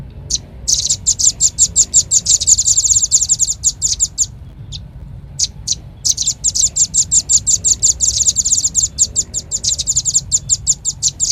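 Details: Lure sound of Red-billed leiothrix for drawing birds in: long rapid streams of very high ticking chirps, a pause around four to six seconds, then another steady run.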